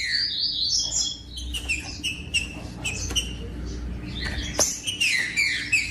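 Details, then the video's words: Green-winged saltator singing steadily, a recording meant to get captive birds singing firmly: chirpy whistled phrases, with a denser flurry of rising and falling notes near the end and a faint hum behind. "COM TRINCA FERRO CANTANDO O MELHOR VÌDEO PARA ESQUENTAR TRINCA FERRO"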